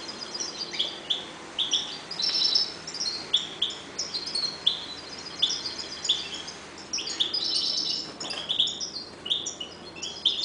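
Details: Breeding pair of caged European goldfinches keeps up continuous high twittering, with short tinkling chirps and buzzy notes repeated steadily throughout, growing busier toward the end.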